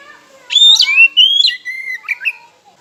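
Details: Lure song of an oriental magpie-robin (kacer), meant to make rival birds sing: loud whistled phrases with downward slurs and sustained tones, ending in short chirps.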